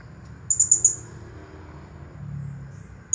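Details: Blue-crowned hanging parrot, a champion bird, in its 'nagih hutang' song style: one quick burst of four piercing high chirps, then a faint low hum and a last sharp note at the end.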